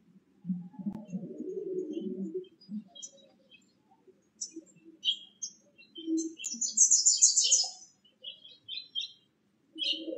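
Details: A Bewick's wren, one of a pair bringing nesting material to a nest box, gives high, scratchy chips and a harsh buzzy rattle near the middle of the clip; a low murmur, perhaps a voice, is heard early on.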